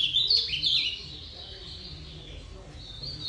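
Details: Ultramarine grosbeak giving a brief burst of jumbled whistled notes in the first second, then falling quiet except for one faint high note near the end over low background noise.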